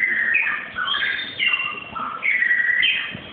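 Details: White-rumped shama chick from Malaysia giving a run of loud, varied whistles that slide up and down between middle and high pitch, with almost no pauses.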